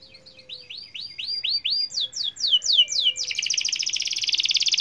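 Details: Gacor-style canary song to trigger singing in other canaries: repeated rising-falling whistled sweeps, a few faster descending slurs, then a sustained buzzy rattling trill.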